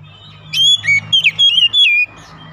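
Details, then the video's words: Oriental magpie-robin (kacer) singing in the morning: a quick phrase of clear whistled notes, sweeping and slurred between high pitches, lasting about one and a half seconds, over a low background hum. "TERAPI OCEHAN KACER DI PAGI HARI"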